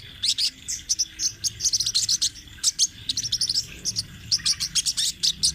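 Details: An energetic sunbird in rolling song: thin, high twittering notes delivered in fast clusters, rolling almost without pause across the whole stretch.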